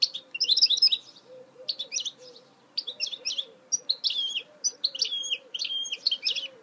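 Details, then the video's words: Goldfinch mule in steady song: choppy clusters of high, scratchy and tinkling notes follow one another closely, over faint lower warbling notes in the background. "Chant mulet chardonneret تغريد هجين الحسون"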